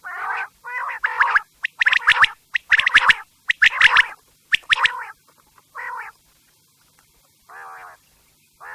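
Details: Quail at night giving a busy run of nasal, buzzy bursts and sharp clipped notes, dense at first and then thinning into a few spaced calls with silence between.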